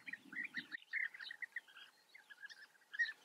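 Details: European bee-eaters calling at their breeding colony in the Eifel, Germany: a busy chatter of rolling, trilled 'prrp' notes from several birds, with a short low rustle at the start.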